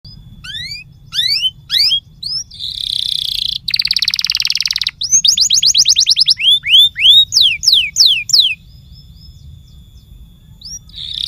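A canary sings a lively, varied song: quick rising whistles, a fast buzzy roll, then a string of rapid falling slurs, over a faint low hum.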